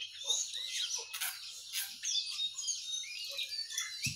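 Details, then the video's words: Busy high-pitched chatter of sooty-headed bulbul, yellow-vented bulbul and white-eye in the morning, overlapping trills and sharp chirps with a faint low hum beneath. "Suara Burung Jongkangan, Terucukan , Pleci di pagi hari"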